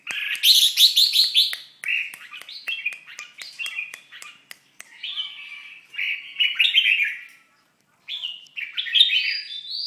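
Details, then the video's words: Moulting red-whiskered bulbul in song, opening with loud quick warbling notes, then sharp clicks and a run of mellow rolling phrases broken by a brief pause. "Chao mao dang thay long"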